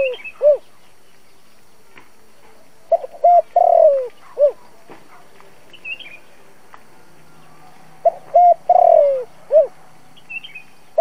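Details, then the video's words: Decoy spotted dove cooing, recorded for playback through a trapping speaker to lure wild doves, in the 'giọng thổ' voice style. Two low, mellow cooing phrases of short notes and one drawn-out falling coo, about five seconds apart. Faint high chirps of other birds. "Tiếng cu gáy dùng cho loa bẫy, cu gáy mồi cây kích bổi nhanh nổi"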